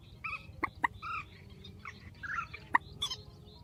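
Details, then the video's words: Strong grey-headed swamphen calls, edited together: nasal, honking notes with stacked overtones alternating with hard clicks, several within under four seconds, against a faint low rumble. "Tiếng trích TRÍCH GHÉP SỐ 4, tiếng trích mạnh"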